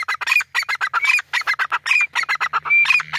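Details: Grey francolin giving a dense, loud stream of harsh, clipped notes in rapid overlapping phrases. Thin whistled slurs are mixed in, and a low steady hum enters near the end.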